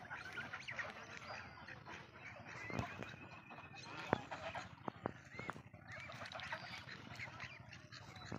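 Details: Farmed geese, locally called Raj duck, calling together as a flock: overlapping nasal honks and quacking notes form a dense, continuous chorus, with a few sharp louder cries and clicks standing out over steady background noise.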